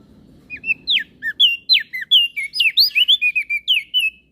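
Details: Crested white-eye of Flores, a training master recording: a rapid, steady stream of bright whistled notes, each sharply swooping up or down, about four per second, with slight low hum early on.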